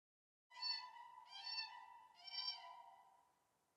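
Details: Common cranes in Wielkopolska, Poland, February 2024, on forest meadows, claiming territories and defending them against intruders with loud clangor: three loud, ringing, trumpeting notes, each about a second long, over a quiet background.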